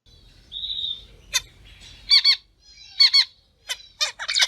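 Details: Captive-bred pet zebra finches in a small aviary: the female gives nasal, trumpet-like 'piap' calls and the male, the only singer, gives short buzzy, stuttering song phrases, repeated about once a second; soft low hum underneath.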